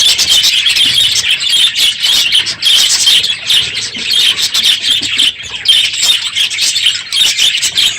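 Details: Aviary flock of budgerigars at the close of the breeding season, the most birds held all year, calling loudly in the morning: continuous high warbling chatter with bright chirps and short squawks overlapping from many birds.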